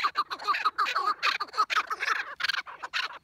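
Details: Chukar partridges in a clamorous chorus: rapid, harsh chuck notes overlap in quick irregular bursts, several birds calling at once with a raspy, clucking texture.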